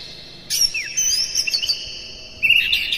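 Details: Morning Oriental magpie-robin song for stimulating caged birds: a sudden burst of high thin whistles and a falling slur, fading into a pause, then a fresh warbling phrase starting near the end.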